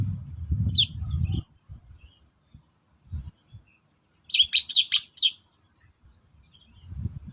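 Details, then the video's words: Long-tailed shrike singing as a lure for cendet that stay silent: one high descending squeal, a pause, then a quick cluster of five harsh chirps, with low rumble early and late and a faint steady high tone. "BURUNG CENDET GACOR DOR PANCINGAN CENDET MALES BUNYI"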